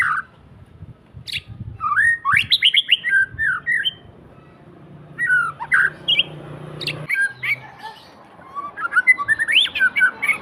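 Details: Home-kept white-rumped shama singing energetically: varied bursts of sweeping whistles, quick chattering runs and harsh squawks, several bright high notes, phrases coming in rapid clusters, with a faint low hum underneath.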